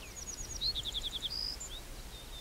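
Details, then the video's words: Little bunting song: a few thin, very high ticks, then about seven quick, evenly spaced sharp chirps ending in a drawn-out high whistled note, clear against a quiet background. "little bunting ( Emberiza pusilla ) singing"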